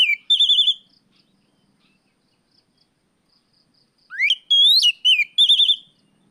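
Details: Afternoon song of an Oriental magpie-robin used as a lure for training birds: a trilled whistled phrase, a long pause, then rising sweeps and wavering high whistles in quick bursts.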